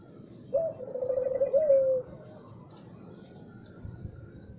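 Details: Spotted dove cooing in the morning, one phrase of a sharp rising start, rapid pulsing coos and a drawn-out final note, then quiet background hum.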